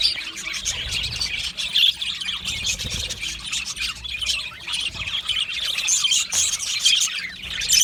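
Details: Australian budgerigars singing and chirping, a busy mix of high warbles, clicks and brief squawks from several birds, fairly even in loudness throughout.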